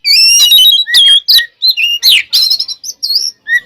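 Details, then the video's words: Oriental magpie-robin giving a full, loud fighting song used to provoke rival birds. Dense run of clear whistled notes, quick chirps and a harsh buzzy sweep, delivered almost without break. "SUARA BURUNG kacer gacor NGEPLONG tarung KONSLET ini paling AMPUH buat PANCINGAN KACER agar EMOSI"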